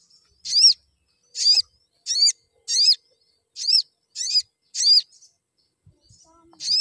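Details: Crimson sunbird chirping to prompt other sunbirds to sing more: a steady series of high, sharp, buzzy chirps, about one every two thirds of a second, clear against silence.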